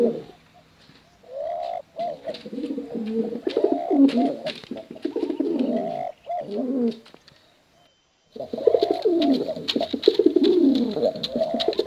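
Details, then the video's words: Male and female pigeons bred for cooing contests deliver clusters of quavering, warbled coos, pausing into near silence before a busier, overlapping chorus returns. "Suara Bekuran Burung Merpati Lomba Hutan Dara Durasi Panjang"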